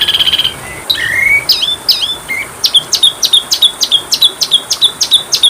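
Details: Oriental magpie-robin training song: a brief buzzy rattle, then rising and looping whistled phrases, followed by a steady string of crisp, down-slurred notes repeated about three per second against quiet background hiss.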